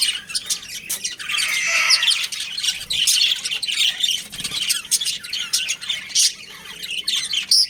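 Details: Pet budgerigars, a breeding pair, chattering almost without pause: rasping squawks blending into a warbled, buzzy flow, with louder chirps standing out near the end.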